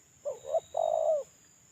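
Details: Male spotted dove, currently molting, giving a lure call: two short rising coos, then a longer steady coo, one phrase under two seconds, with a faint constant high-pitched whine behind it.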